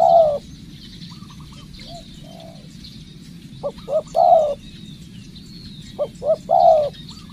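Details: Decoy spotted dove under training cooing in repeated phrases of two or three short notes ending in a long, slightly falling coo, the pattern given twice after an opening coo, with a steady low hum and distant thin bird chirps.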